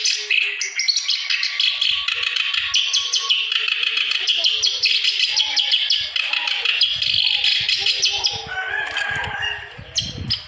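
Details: Energetic clamorous reed warbler song offered to encourage quiet birds to sing: a fast, rasping chatter of scratchy repeated notes, easing toward the end, where low thumping handling noises appear.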